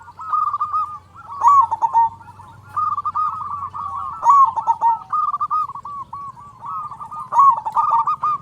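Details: Local zebra dove, big-voiced and singing persistently, meant to stimulate other zebra doves: unbroken bubbling coos at a constant pitch, rising in loudness three times, over a faint low rumble.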